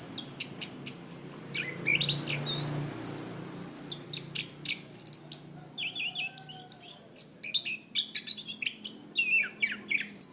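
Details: Lively chestnut-capped thrush song used to train cage birds, in 'gacor ngeplong' style: a dense, continuous medley of sharp chips, high thin whistles and quick slurred notes, barely pausing throughout.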